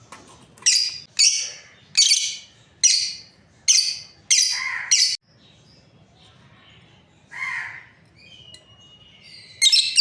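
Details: Seven sharp, shrill chirps come from a breeding pair of lovebirds, spaced roughly every half second. A pause follows, then a lower squawk and a faint whistle before another chirp.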